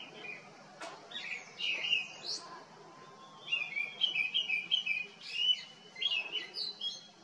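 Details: Grey-winged Blackbird singing cheerfully and tunefully among foxgloves at a botanical collection in Jabbarkhet, Himalaya; varied fluted, slurred whistled phrases, a quieter opening, then a run of rapid rich notes from midway, with short pauses between bursts.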